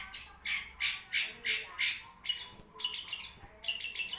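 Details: Long-tailed shrike singing, a songbird praised for the length of its song: a run of six rasping chattered notes about every 0.35 seconds, then a faster jumble of harsh notes mixed with thin, high whistles.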